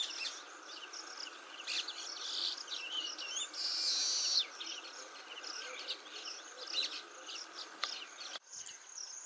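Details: At Motisagar pond, Agar Malwa, a male baya weaver chatters in rapid high chips, then breaks into a loud, drawn-out wheezy buzz lasting about a second before the chatter resumes; a click near the end.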